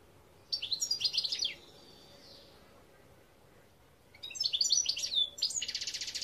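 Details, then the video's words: European goldfinch (Gardelina) singing twice: a rapid twittering phrase of high notes, a pause, then another chattering run ending in a harsh, buzzy rattle. "Chant Chardonneret"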